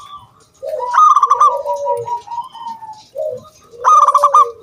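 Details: Local zebra dove singing to lure other doves into song: a short low coo, then a bright rapid trill of hooting notes sliding into long rolling coos, repeated a second time after a pause.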